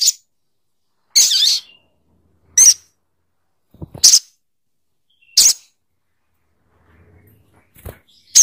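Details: Sogok ontong bird giving short, rasping high squawks, each under half a second, repeated about every one to one and a half seconds with silence between.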